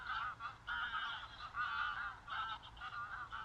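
Greylag goose honking: loud, nasal, harsh honks in quick succession, about five or six bursts in a few seconds, with little else heard.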